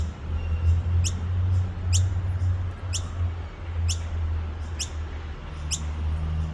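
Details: Baby noisy miner by Petrie Creek, Nambour, repeating piercing, quick high-pitched squeaks roughly once per second, six calls, with a constant low droning hum beneath.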